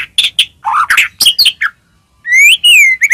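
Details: White-rumped shama song used as a lure for other shamas: harsh squawky notes and chirps, a pause, then a clear rising and falling whistle followed by short sharp notes.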